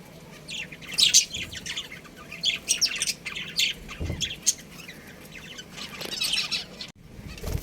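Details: A breeding pair of pet budgerigars at home chirping in irregular, scratchy high bursts, some louder near the start, over a constant low background noise, with a brief cut near the end.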